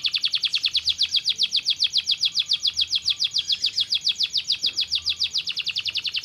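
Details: Canary song for stimulating idle birds to sing: a long, steady, high rolling trill of evenly spaced notes repeated about seven per second, bright and continuous throughout.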